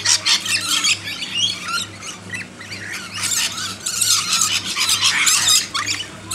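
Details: Backyard lorikeets being hand-fed produce dense, harsh screeching from several birds together in long rolling bursts with brief pauses, above a low steady hum.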